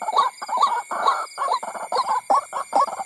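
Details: ['Lure recording of a white-breasted waterhen meant to attract others of its kind: choppy, clucking croaks in quick uneven bursts mixed with grating, buzzy notes.']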